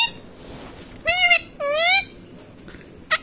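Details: Pet ringneck parrot repeating mummy papa: two loud, steady, nasal syllables about half a second apart, each held flat then trailing off, in a quiet room with a brief squeak at the end.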